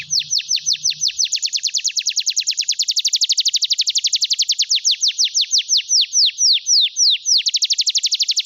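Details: Canary singing to stimulate silent canaries: long, fast high-pitched trills of repeated downward-sweeping notes, changing pace several times, slowing into separated chirps then speeding up again, with faint low noise at the start.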